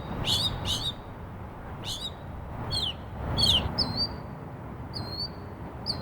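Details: Northern mockingbird (Mimus polyglottos) singing outside a bedroom window in the morning, a varied string of sharp, downslurred notes, then clear repeated whistles.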